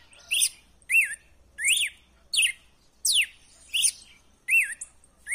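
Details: Red-cowled cardinal giving wild-type song meant to warm up a caged male: separate arched and rising whistles, each with a sharp upper note, spaced roughly every three-quarters of a second, clean and loud.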